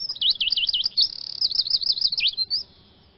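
A Eurasian siskin gives a fast, high twittering run of wavering, looping notes for about two and a half seconds, then fades to quiet.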